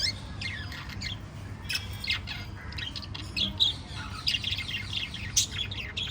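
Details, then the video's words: Lively chatter from a family of five lovebirds: rapid high chirps and quick descending twitters overlapping one another, busy and near-continuous, with a faint low hum underneath. "Five Little LOVE Birds Chirping Sound"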